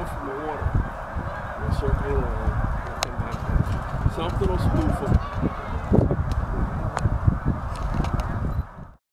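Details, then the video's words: A flock of snow geese at Middle Creek Wildlife Management Area, Pennsylvania, in 2012, moving from a feeding field to a lake for the night, call in a dense overlapping chorus of nasal, barking honks over a low rumble. "Snow Geese"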